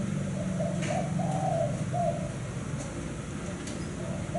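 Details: A spotted dove coos a short series of soft, low, hollow notes. The phrase fades into quiet background hum.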